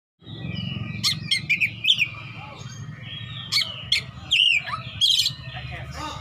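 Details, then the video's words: Oriental magpie-robin, a fighting male seeking an opponent, singing in the ngeplong style: loud, sharp whistled notes and short rising slurs in bursts, with pauses between, over a steady low hum. "kacer petarung cari lawan//ngeplong-ngeplong"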